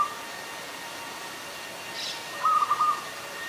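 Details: Adult zebra dove in Ubon Ratchathani, Thailand, recorded on 24 February 2022: a single short burst of soft, rapid staccato cooing notes near the end, over a quiet background hiss.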